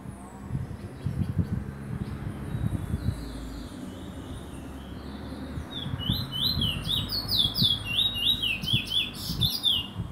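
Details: Lesser seed finch in Trinidad, a rapid run of high twittering, sliding notes building in the latter half, heard over strong low rumbling background noise.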